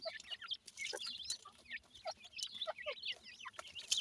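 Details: Young partridge birds, called teetar in Pakistan, during feeding: a quiet jumble of many thin, wavering high peeps and short chirps, overlapping without pause.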